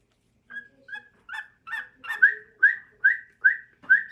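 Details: Male cockatiel singing for his mate: a run of bright whistled notes, each a short rising-then-level whistle, repeated roughly every 0.4 seconds and growing louder and more uniform toward the end.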